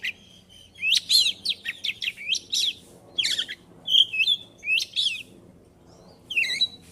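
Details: Ngobra-style singing from a white-rumped shama with many isian phrases: busy, jumpy high chirps, clear whistled notes and crackly bursts in short rapid sequences, over a faint low hum.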